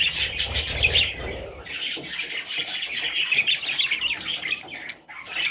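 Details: Parrot chicks giving a dense run of high, scratchy chirps, overlapping and nearly continuous, with low thumps and handling noise in the first second.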